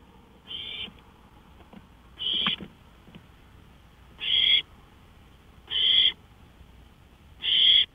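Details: Owl on a porch, 5 May 2013 at 1:53 AM, uttering five harsh hissed screeches that grow louder, spaced about one to one and a half seconds apart in quiet night air.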